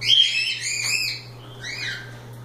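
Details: Playing cockatiels, a loud wavering harmonic call followed by a softer descending note, low hum beneath.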